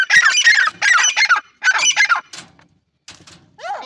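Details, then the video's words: Irani teetar, a partridge, uttering loud bursts of harsh rattling calls in three groups, followed by softer clicks and a brief downward note. "irani teetar ki awaz"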